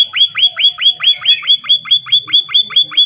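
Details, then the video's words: Munia, described as singing very actively, giving a fast, even series of short upslurred whistled notes, about fourteen in three seconds, each rising sharply to a bright high peak. "Emprit super gacor"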